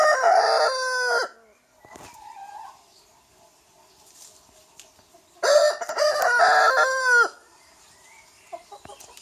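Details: Two full crows from a young rooster, each a loud, hoarse cock-a-doodle-doo lasting about one to two seconds with stepped, strained syllables, separated by a quiet gap with faint background noises.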